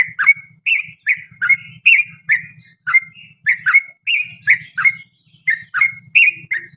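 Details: Bubbly, rolling phrases from a prolific yellow-vented bulbul, sung as a lure so other bulbuls answer; notes tumble in rapid pairs with short gaps, a light low hum flickering behind.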